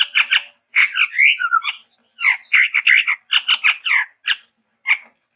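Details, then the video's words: Chestnut-rumped babbler, a Sumatran endemic, singing a varied, lively song: dense bursts of harsh chattering notes mixed with short whistled slurs, rising and falling phrases in quick succession, pauses between groups. "TEPUS TUNGGIR MERAH GACOR VARIASI"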